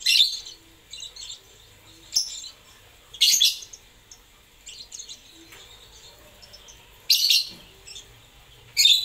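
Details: Lovebird producing repeated bursts of shrill, high chirping chatter separated by pauses of one to three seconds, with softer twitters in between.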